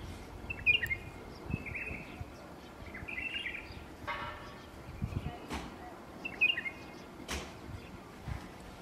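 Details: White-eared bulbul calling, short bright chirping phrases around the middle pitch range repeated a few times, over steady low rumbling background noise with occasional clicks.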